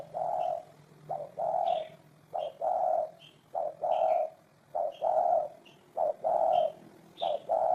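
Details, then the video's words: Spotted dove giving a run of deep, soft coos, short notes alternating with longer drawn-out ones in a steady cadence, while faint high chirps from other birds punctuate the background. "Tổng hợp tiếng chim cu gáy hay năm 2018"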